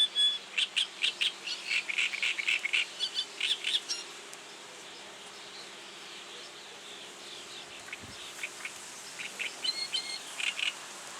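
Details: Reed warbler giving its advertising song: rapid series of short, chattering, scratchy notes repeated about four per second, pausing midway, then resuming more sparsely; faint steady low hum in the background.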